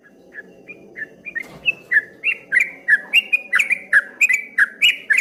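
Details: Streak-eared bulbul singing, known locally as trucuk kebo in a rolling, wave-like style: a rapid series of short, bright, slightly falling whistled notes that start soft and grow louder, repeated about one and a half per second.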